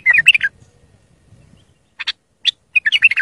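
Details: Bulbul singing, a recording meant to help young bulbuls learn: a fluent burst of liquid whistled notes, faint low rustling, then scattered chirps and another rapid warbled phrase.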